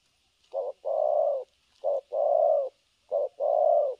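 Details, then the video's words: A newly tested spotted dove decoy for trapping coos continuously in the thổ cấn sấm nước style, 3/12/2022: three even, mellow phrases, each a brief clipped note followed by a long sustained coo, with light background hiss. "Thổ cấn Sấm nước gù liền"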